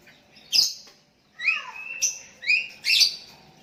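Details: Sooty-headed bulbul calling to a rival while other bulbuls answer: a sharp harsh note, then rising and falling whistled phrases around mid pitch, broken by buzzy squawks, about five notes in under four seconds.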